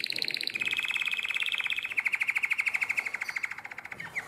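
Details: Nightingale-voiced style song of a canary, 2017, Drama, Greece: fast rattling trills pulsing roughly twice per second, opening with a higher strand, then a long steady mid-pitched trill that slows and fades toward the end.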